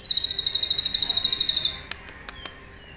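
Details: Captive sunbird kept as a pet, recorded live as master song for teaching other songbirds, its song filled with cililin imitations: a loud, rapid high-pitched rattling trill lasting almost two seconds, then a few sharp clicks.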